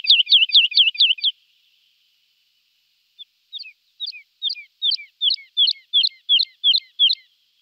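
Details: Lark song: a fast burst of about six sharp, high chirped notes, a pause of nearly two seconds, then a steady series of brief falling whistled notes repeated roughly every third of a second, with no other sounds.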